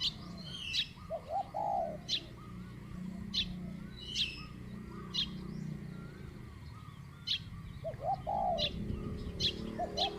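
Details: Spotted dove in a decoy-luring session, medium-pitched coo style: two brief phrases of soft arched coos, one near the start and one near the end, among many sharp high chips from another bird.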